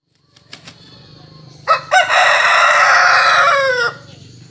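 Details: A rooster in Belitang, South Sumatra, crowing at 07:00: two short, hoarse opening notes, then one long, harsh, drawn-out note of about two seconds that drops away at the end, after a few soft clicks.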